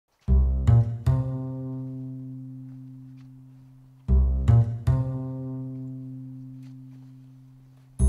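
Plucked double bass notes, struck in pairs of low booming tones that ring out and slowly fade, with no animal voice anywhere.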